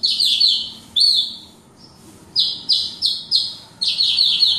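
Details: Horsfield's bush lark (Javan bush lark), a kept bird in full song: loud, high, buzzy notes in short bursts, a brief pause with a faint thin note, then rhythmic repeated strokes, each phrase about a third of a second.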